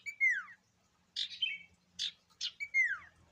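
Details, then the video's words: Sirtu, the common iora, in varied song used to provoke other birds: two clear whistles sliding steeply downward frame a cluster of buzzy, twittering notes and short chirps. "Burung sirtu gacor Variasi Isian Siulan Paling Mewah!"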